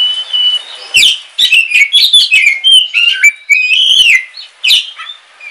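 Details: Captive oriental magpie-robin, black Kalimantan type, singing as rain falls: a continuous string of bright whistled notes rising and falling, mixed with crisp clicks and short slurred phrases.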